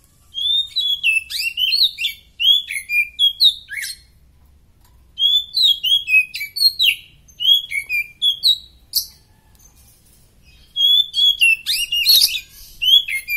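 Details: Oriental magpie-robin in prime form, singing a long varied series of clear whistles, sliding notes and crisp chips, in rhythmic bursts with short breaks, loud and close.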